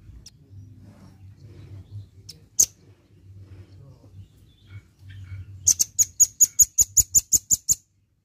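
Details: Red-billed nuthatch (rambatan paruh merah), lively, gives a few scattered sharp high chips over low background hum, then bursts into a fast, even series of about twelve thin, piercing notes.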